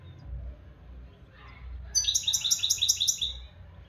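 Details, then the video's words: After a quiet, humming start, a European goldfinch in Morocco bursts into a rapid, metallic, tinkling trill of evenly repeated high notes lasting about a second and a half. "مقنين حسون بلدي"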